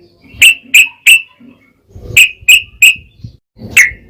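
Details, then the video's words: Singing yellow-vented bulbul, a recording meant to rouse other bulbuls into song: sharp, bright chirps given in short bursts of three, with a pause between bursts and a lone final note, over a quiet background. "SUARA TRUCUKAN GACOR ROPEL PANJANG PAncingan TRucukan Agar Bunyi"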